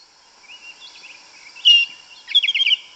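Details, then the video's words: A yellow-legged thrush singing in forest: soft thin whistles drift at first, then a louder bright note and a closing rapid trill of about six repeated chips. "Sabiá Una cantando no mato. Lindo canto mateiro da sabiá preta"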